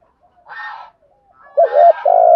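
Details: Spotted dove coo used as a lure, urging and calling style: a rough, breathy note first, then a quick pair of low hollow coos running into a long sustained coo.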